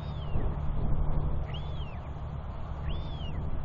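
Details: Royal albatross chick wheeing as it walks down a track toward its feeding father, 9 June 2021; three drawn-out arching whistles, rising then falling, about 1.5 seconds apart, over low wind rumble.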